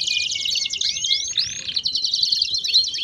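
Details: Canary in baderna song, used to stimulate other canaries: a dense high warble with a long steady whistle underneath, then two swooping rising arcs and a brighter chattering close.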